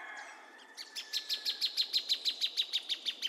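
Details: Plain thornbird song: after a faint whistled note, a steady train of about fifteen crisp, high chips begins and holds an even pace of roughly three notes a second to the end.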